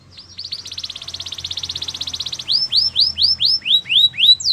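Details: Warm-up training song of a Belgian canary: a fast rising rattle swelling into a dense rolling trill, followed by loud, evenly spaced swooping notes roughly three per second.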